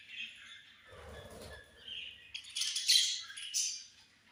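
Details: Budgies at feeding time chirping: soft scratchy chatter at first, then a louder burst of harsh, buzzy chirps and squawks toward the end, with a brief low rumble in the background.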